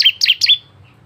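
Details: Bar-winged prinia singing varied notes meant to lure other prinias into song: three quick, bright, slurred chirps in half a second, then quiet with faint low hum.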